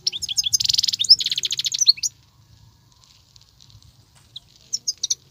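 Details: European goldfinch, a wild bird singing without pause. It gives a fast, bright twittering burst of liquid notes and dense chattering for two seconds, then falls quiet except for a few scattered high chips.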